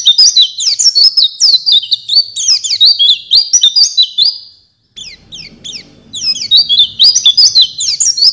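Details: Oriental white-eye master song used to train songbirds: fast, high twittering of rising and falling chirps in dense runs, broken by a brief silent gap midway, then resuming.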